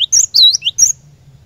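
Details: Cinereous tit (glatik batu) song played to prompt a caged bird into continuous singing; a short burst of high, clear whistled notes, sliding and dipping, three quick phrases, with a faint low hum beneath.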